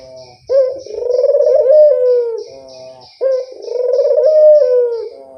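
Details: Turtle dove used as a lure call, giving two long, low purring coos that start with a sharp note, swell into a rolling trill and fall off at the end, about three seconds apart.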